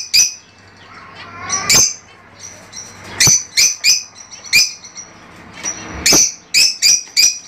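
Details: Fischer's lovebirds singing to stimulate mating: sharp, shrill high calls repeated in irregular bursts about every half second to second, with faint low hum underneath.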